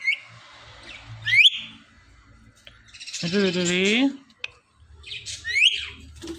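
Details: A pet parrot couple making speech-like sounds: bright rising whistles, then a drawn-out talking phrase with a voiced, wavering tone about a second long, followed by more upswept whistles and soft low background noise.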